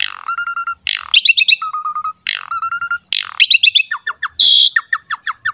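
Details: Asian pied starling in gacor song for a masteran meant to stimulate other starlings: level whistled notes alternate with harsh descending screeches and chattering trills, ending in a loud buzzy burst and quick downslurred notes.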